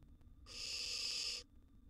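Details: Single harsh, airy hiss of about one second from a wild barn owl nestling feeding on a large gerbil inside a nest box, against faint background hum.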